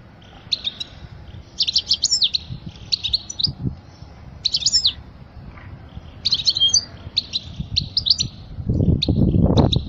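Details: For training young goldfinches, a European goldfinch gives short bright twittering phrases with pauses between them; a rough rustling noise rises at the end.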